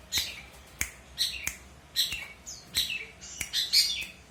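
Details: Long-tailed shrike singing, recorded as a training song for other songbirds: short sharp notes and rising whistles with buzzy chatter, in bursts roughly every half second to second, high-pitched throughout.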